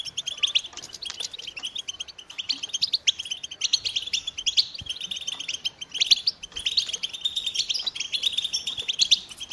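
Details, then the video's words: American goldfinches keep up a bright, jumbled twittering of high chirps and quick trills, with several birds seemingly overlapping throughout. "The Joyful Songs of Goldfinches"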